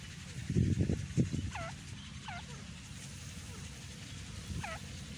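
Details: Indian teetar, or grey francolin, gives three hooked ringing notes with bright overtones, two close together and one after a pause. Loud low thumps and clatter open the recording over a persistent rumble.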